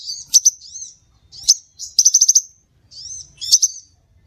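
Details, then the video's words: Scarlet minivet lure call: thin high chirps and short whistled phrases in quick bursts, with brief silent gaps and sharp clicks between groups. "Suara pikat burung SEPAH RAJA"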